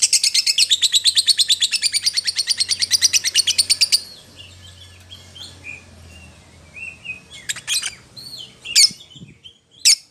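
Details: Lovebird calling its companion: four seconds of fast, buzzy chattering notes, then quieter scattered chirps and a few sharp squeaks.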